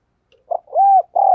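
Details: Decoy spotted dove cooing to provoke other birds: a short soft double coo, then a long, steady, low hooting coo and a final sustained coo, all clean and quiet behind.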